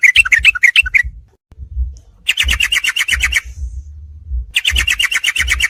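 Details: Sooty-headed bulbul, a mixed master recording for night therapy of songbirds: three bursts of fast, evenly spaced chirps with short silences between, over a steady low thumping hum.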